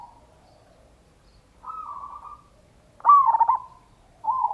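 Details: Local zebra dove, a loud singer used as a lure to make other doves answer. A soft drawn-out coo is followed by a sharp, loud rippling phrase and the start of another trill.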